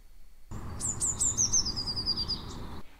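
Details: Eurasian blue tit song: a few thin, very high notes leading into a fast, slightly falling trill of repeated notes, over a faint low rumble; blue tits vary how many intro notes and trill notes they use.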